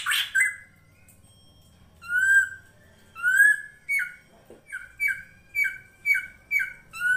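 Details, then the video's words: Full-fill drongo master song, srigunting krantil, for training songbirds: a harsh opening note, drawn-out whistles, then a rapid series of short falling two-part whistles repeated about twice per second. "MASTERAN SRIGUNTING KRANTIL FULL ISIN"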